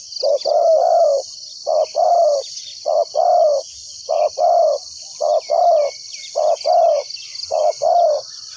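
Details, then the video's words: Decoy spotted dove calling to draw wild doves into a trap: regular paired coos, a brief note then a longer slightly falling one, repeated every second or so, with insects buzzing steadily. "chim cu mồi gáy gọi bổi"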